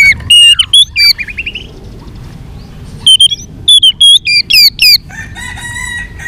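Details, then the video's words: White-rumped shama singing its fighting song: loud twisting whistled phrases broken by pauses, a buzzy passage, and a closing run of steady high notes. "chòe lửa hót đánh đuôi thái độ.kích chòe lửa hót đấu. chòe lửa hót nhiều giọng căng lửa"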